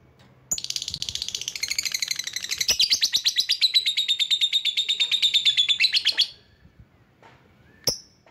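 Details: Lovebird used to call in rivals, giving a long, rapid, buzzy chattering trill for about six seconds that steadies near its end, followed by one sharp squeak.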